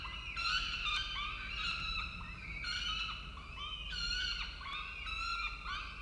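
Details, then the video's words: Peregrine falcons calling at their nest in Orange, Australia during a food delivery by the male, seen on a nest camera; bursts of high, nasal, harmonic wailing repeat roughly every second, several birds overlapping. "Sokół wędrowny Orange Australia - Xavier z dostawą dla Marri & Barru"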